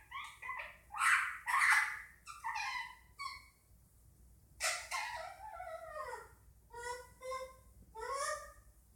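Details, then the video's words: Pet Indian ringneck parakeet making odd chattering noises: rapid bursts of raspy squawks and nasal calls, a loud harsh cluster early, then falling slurred notes and short repeated yelps. "Indian Ringneck making noises"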